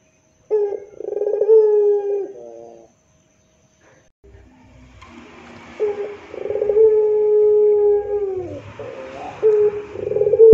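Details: Puter pelung dove in a plaintive 'rintihan' style of song used as a tutor recording: two long, drawn-out, low moaning coos several seconds each, steady then sagging slightly in pitch, separated by a quiet gap, faint hiss behind.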